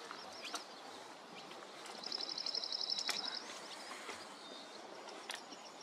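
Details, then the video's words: Dark-eyed junco, a North American bird found in a small coastal garden at Rattray Head, Aberdeenshire, singing on a May 2023 morning: a single quick, even trill on one high note, lasting about one and a half seconds, over faint background noise. "Dark-eyed Junco - (singing)"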